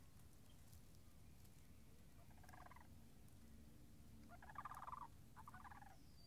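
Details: Near frozen marsh puddles on 26 March 2019, Sandhill cranes give rattling, trilled bugles, a softer burst first, then two louder rolling calls toward the end over low background rumble.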